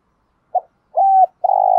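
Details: Brief morning coo of a decoy spotted dove meant to stimulate other doves; a short note, a clipped level coo and the start of a long buzzy coo, cut off abruptly.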